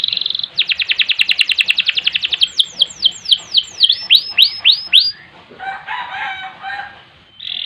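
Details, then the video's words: Canary singing a long, energetic song: a fast, bright trill of rapid repeated notes shifting into a run of rising, slurred whistles and ending in a rough buzzy phrase. "Kenari Gacor Panjang Ngerek Ngerol Nembak"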